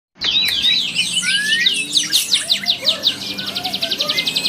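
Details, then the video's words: Canary singing a long rolling song: quick high sweeping and twittering notes, then a fast even trill of repeated buzzy units running on for over two seconds. "Suara burung kenari gacor ngerol panjang"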